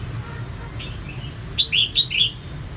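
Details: A female red-whiskered bulbul, calling to excite males, gives a quick burst of four bright, liquid, slurred whistles after a couple of soft notes, over a low steady background hum.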